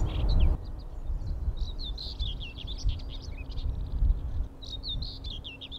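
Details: Common Whitethroat singing along the sea wall at RSPB Rainham Marshes on a windy spring morning: quick, scratchy, chattering phrases in short bursts with brief pauses, over a steady roar of wind.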